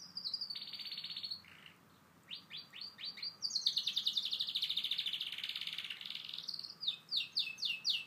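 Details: Canary (Serinus canaria) song: a long, bright run of rapid trills and rolling chirps, with quick sweeping notes between fast buzzy stretches.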